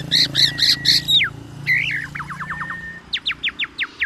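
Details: Loud singing from a black-naped oriole packed with oriental magpie-robin imitations, used to challenge other orioles: harsh buzzy notes, a falling whistle, a trill of downswept notes, then evenly spaced sharp upslurs.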